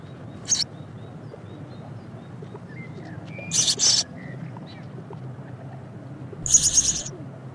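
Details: A plump, spoiled young sparrow that can feed itself but begs from its mother all day gives three bursts of harsh, high, hissy begging chirps a few seconds apart, with faint thin whistles and low rumble.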